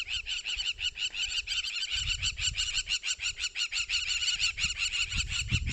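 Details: Crowned lapwing in Kruger harassing a passing pride of over twenty lions, possibly with a nest nearby, giving a loud, continuous racket of sharp, rapidly repeated calls about three per second, with low rumbling vehicle or wind noise beneath.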